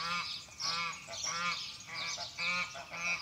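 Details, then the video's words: Geese honk in loud, nasal, overlapping bursts with a harsh, brassy ring, several calls every second or so. "los Gansos"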